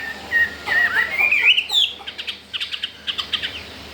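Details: A Chinese hwamei, caged and four days after arrival, already eager to breed and not afraid of resident birds, gives a long wavering whistle that rises in pitch. A rapid run of sharp clicking notes follows.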